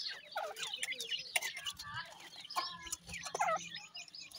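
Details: Grey francolin chicks calling together, a dense chatter of short high peeps, chirps and trills overlapping throughout, with quick clicks and rustling in the background.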